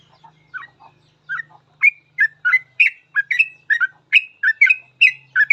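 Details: Ropel-style gacor song from a sooty-headed bulbul, kept as a master recording for teaching bulbuls. Soft low notes build into a fast run of bright chirped phrases, with a faint low hum underneath.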